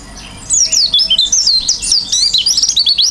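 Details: Oriental white-eye in chatty gacor style with isian fill-in, singing open-beaked: a rapid, continuous high warble of twisting whistled notes that starts half a second in and runs unbroken to the end.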